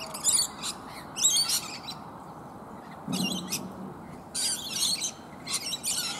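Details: A flock of rainbow lorikeets feeds on native bottlebrush blooms up in a tree alongside one other bird. Sharp, screeching calls come in irregular bursts with a quiet gap, plus a brief low sound in the middle.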